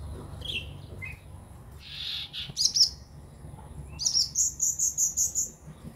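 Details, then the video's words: Purple-throated sunbird played to newly bought caged birds to prompt them to sing; faint thin high chirps, then a fast run of about eight sharp, evenly spaced high notes near the end. "terapi ampuh buat konin biar gampang bunyi dan gacor"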